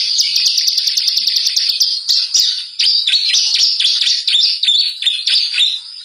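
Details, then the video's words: Lure song of the bar-winged prinia (ciblek), used to get birds singing. High, sharp chirps pour out in quick succession, with brief dips in loudness between the bursts. "pancingan burung ciblek gacor. ciblek semi ciblek kali ciblek kristal."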